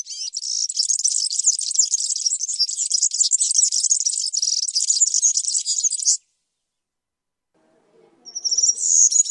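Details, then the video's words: A European serin delivers one sustained six-second outpouring of high, sizzling, jingly twitter. After a pause of silence with a faint low murmur, another high phrase begins. "تغريد طائر السمريس/ البسبوس (الزخنين) chant du serin cini, el verdecillo"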